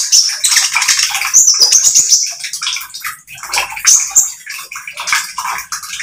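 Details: Oriental magpie-robin, spotted form, singing energetically as a lure: fast chattering notes about four per second with rising whistled slurs, set against a hissing, watery-sounding background.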